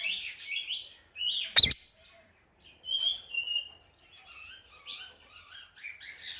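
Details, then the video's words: Indian ringneck parakeet calling: short high chirps and squeaky whistled notes with brief pauses, one sharp click-like burst early on. "Super Cute Ringneck Parrot Sounds"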